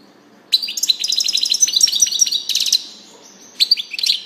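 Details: After a moment of quiet a European goldfinch bursts into fast, jingling twittering with rapid buzzy trills, pauses briefly, then adds a short final flourish of high chirps.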